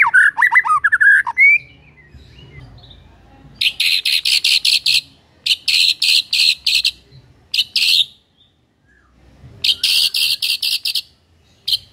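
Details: White-rumped shama singing: a short burst of rising whistled slurs, then after a pause loud buzzy chattering bursts in rapid runs, separated by brief silences.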